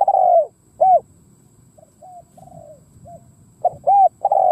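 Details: Spotted dove kept as a decoy, cooing to attract wild birds. Loud arched coos open and close the phrase, and several softer, flatter coos sit in between. Faint low rumbling lies underneath.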